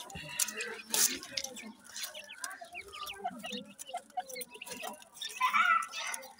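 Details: Grey francolin chicks about five days old cheep in a busy, overlapping chorus of short, high peeps, with lower clucking notes and faint background voices.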